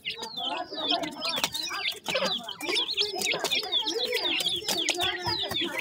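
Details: Newly hatched grey francolin chicks calling for their mother: a dense chorus of high, thin peeps and downslurred cheeps, overlapping and repeated rapidly throughout, with a few soft lower notes beneath.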